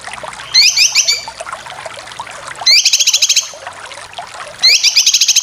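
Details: Cucak kinoy besetan for training competition birds: three short bursts of rapid, rising, ladder-like chattering notes about every two seconds, separated by quieter gaps with faint low hum.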